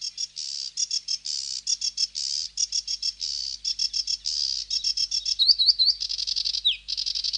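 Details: Sedge warbler song: a fast, unbroken stream of rasping buzzy notes and short churrs, with a few sharp whistled slides near the end.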